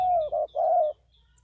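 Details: Spotted dove from Vietnam giving a brief sequence of three mellow cooing notes, the first long and sliding downward, the last two shorter and fuller.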